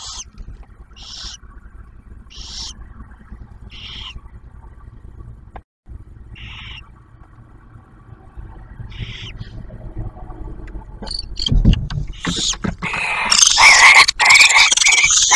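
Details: Barn owl nest near Oak Harbor, Ohio, in Ottawa National Wildlife Refuge; male brings food, female feeds the newly hatched owlet. Six short hissy bursts, then loud rustling and scraping noise toward the end.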